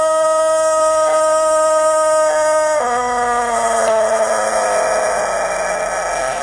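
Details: Rooster giving a long crow: one steady, strongly harmonic tone held for several seconds, dropping slightly in pitch partway and roughening toward the end, with no pause for over six seconds.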